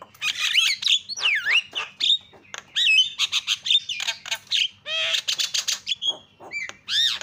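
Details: Javan myna, a lure to set silent mynas calling: a busy, varied stream of harsh squawks, swooping whistles dipping and rising, and rattling clicks, with barely a gap throughout.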